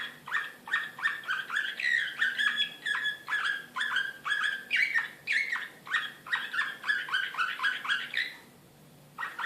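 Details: Belgrade, 2016: an excited Serbian Slavujar canary pours out a long, fast series of repeated chirps and trilled syllables, varied in pitch, almost without pause, before a brief silence and a final note.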